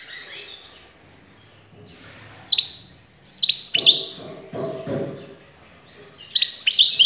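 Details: European goldfinch singing in short bursts of bright, tinkling twitters and chirps separated by pauses, with fuller liquid phrases near the end and a faint low background hum.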